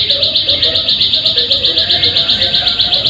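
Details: Lure recording of a plain prinia meant to prompt birds into singing, with a rapid, even series of sharp high ticking notes at roughly four per second and a soft background hum.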